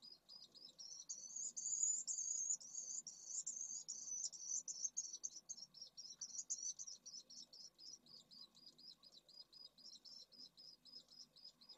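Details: At a nest-box colony in Jerez de la Frontera, Spain, in late May 2022, with eggs and well-grown chicks in the nests, a pallid swift gives a high, buzzy, drawn-out scream breaking into rapid pulsed notes, three or four a second, over faint low hum.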